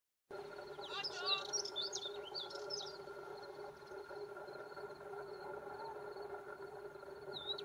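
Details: A male Spectacled Warbler at Gáldar, Gran Canaria, in February 2023 gives a quick, scratchy, high twittering phrase of about two seconds, then a few faint notes over a steady droning hum.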